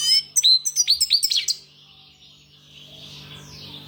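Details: A European goldfinch sings a quick run of bright, bouncy twittered notes for about a second, then falls silent, leaving a faint hiss and a steady low hum.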